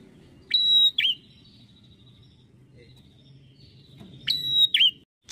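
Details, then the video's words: Bar-winged prinia singing: two phrases, each a sharp click leading into a steady, high, thin whistle about half a second long, then a short downward-hooked note, separated by a long pause over a faint low hum. "PRENJAK ATAS"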